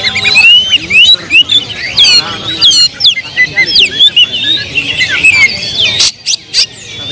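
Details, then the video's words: Agitated oriental magpie-robin song used as a lure to provoke other birds. A dense, continuous stream of fast whistled slurs and trills sweeps up and down, with a few sharp clicks near the end. "KACER BONGKAR EMOSI BONGKAR MATERI DENGAN PANCINGAN KACER INI Kacer Gacor Full Emosi"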